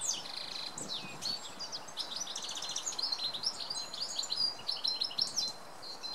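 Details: Male goldfinch singing in the early morning: a rapid, continuous twittering of high, tinkling notes, buzzy trills and short whistles, with a faint background of environmental noise.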